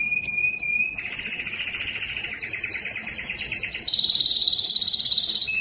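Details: Loud breeding song of a Belgian canary calling females: short high notes, then layered rolling trills stepping upward and a steady bright whistled trill at the end.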